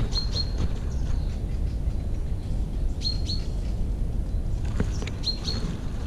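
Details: European robin (Erithacus rubecula) near its nest with chicks in late May, giving short, high paired call notes every two to three seconds over a steady low background rumble.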